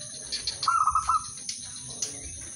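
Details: Zebra dove (udanmas silver) singing to prompt other doves to join in. One brief, quick-beating trilled coo phrase lasts about half a second, with faint clicks and a steady high electronic tone behind it.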